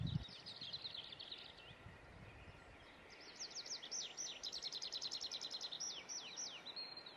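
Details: Great tit recorded in Estonia: an early burst of high chirps, a pause, then a long, fast, even run of downward-sweeping notes roughly three to four per second, over steady low background noise.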